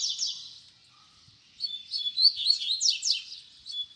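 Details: Baderna song of a double-collared seedeater, played as a teaching model for young birds: a brief quiet gap, then a burst of sharp, high, buzzy downward-sweeping notes and short whistles delivered in quick succession.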